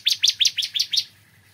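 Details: Six quick, bright chirps from a bar-winged prinia in the morning, each note sharply slurred downward, delivered in under a second over a faint background hum.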